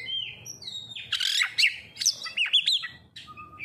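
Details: Kacer, the oriental magpie-robin, in a lure recording meant to set birds singing: a steady whistled note, then a burst of loud harsh chirps and quick looping whistles, over a soft low background hum.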